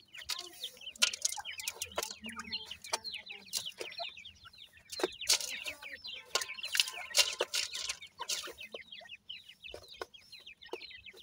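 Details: Teetar family with chicks: a dense chorus of rapid, high, thin chirps and peeps from many young birds, with brief broadband rustles and flutters between.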